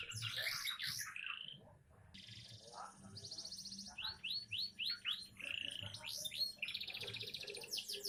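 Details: Young canary in full song: a mix of rolling trills, short rising and falling whistles repeated in quick runs, and bright buzzy passages.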